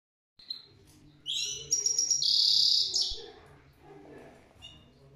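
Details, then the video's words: Goldfinch singing: a short burst of high, bright twittering with a sustained buzzy trill in the middle, then fading into faint chirps and a low background hum. "Gold Finch The Best singing video"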